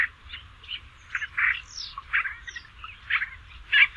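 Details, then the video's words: Basra reed warbler singing, a recording meant as tutor material for other songbirds: a run of scratchy, grating phrases with occasional thin upward-slurred whistles, bursts spaced unevenly over a faint low hum. "kicauan burung Basra Reed Warbler"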